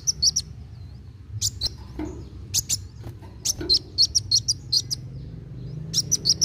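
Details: Kolibri wulung sunbird singing actively in a fast chattering style, played to stimulate young untrained birds to sing: sharp, high, thin chirps in quick bursts of two to four notes with short pauses, over a low background hum.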